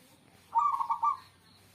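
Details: Single zebra dove coo phrase, a quick stuttering series of three or four rolled notes lasting under a second, over a quiet hissy background.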